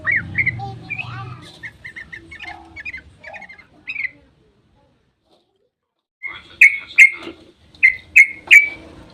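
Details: Sooty-headed bulbul singing 'ropel' at dawn as bait for other bulbuls: quick chattering notes fading out, about two seconds of silence, then loud, spaced, sharp whistled notes roughly every half second.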